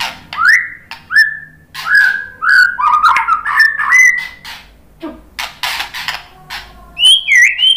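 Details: White-rumped shama song used as a lure for other birds: a series of rich upslurred whistles, then harsh broadband notes and a high twisting whistle near the end.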